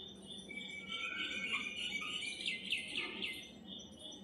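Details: White-eared bulbuls (Pycnonotus leucotis) give a busy run of high, thin chirps and twitters, several per second and overlapping, over a faint low background hum.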